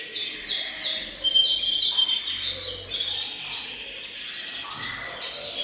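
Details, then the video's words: Canaries singing as a group in a bird room, meant to get males singing: repeated downward-sweeping rolls at first, then a busier, muffled mix of overlapping trills and chatter. "أقوى تحفيز لتغريد وتجهيز الكناري، تغريد جماعي في غرفة الطيور سيجعل طيورك تغرد مباشرة"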